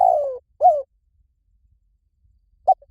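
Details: Spotted dove from a decoy-lure recording: the tail of a phrase with a long falling coo and a curved coo, then silence, then the short clipped note of the next phrase.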